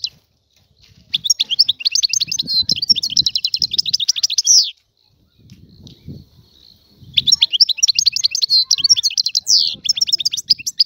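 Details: Algerian European goldfinch singing freely in two long bouts of rapid, buzzy, tinkling twitter, each several seconds long, divided by a gap filled with faint low thumps.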